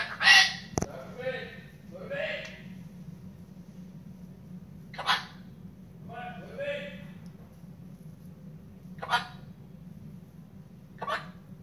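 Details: A male pet cockatoo at bedtime, late at night, talks in short, raspy word-like bursts spaced a few seconds apart, with a sharp loud squawk near the start and a steady low hum underneath; he is told to go to bed and seems angry.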